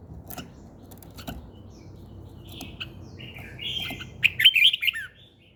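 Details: Bird song at morning time: soft scattered ticks and faint notes build into a loud closing burst of rapid, high, jumbled warbling near the end.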